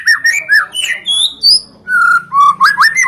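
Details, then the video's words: Lure recording of white-rumped shama song meant to draw other shamas and songbirds into singing: rich whistled phrases that slur up and down, a brief pause, then quick rising whistles. "sekali dengar murai,trotoll,pastol ikutan bunyi"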